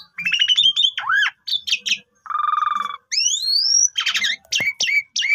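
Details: Lure song of an Asian pied starling with long phrases: a warbled falling phrase, choppy notes, a low buzzy trill, then long rising whistles and harsh grating chatters.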